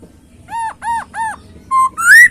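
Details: Three short arched whistled notes from a masked laughingthrush, evenly spaced, followed by a flat whistle and a louder rising one. Faint low background hum.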